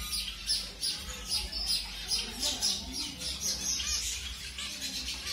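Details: Zebra finch of a mutation colour, placed with a new partner for pairing, gives quick high chirps in uneven bursts, with a soft low background hum.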